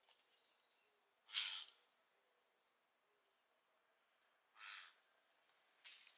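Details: Lidth's jay fledgling practising leaving the nest; harsh, noisy rasping bursts, three loud ones spaced about one and a half to three seconds apart, with fainter scratchy sounds between them.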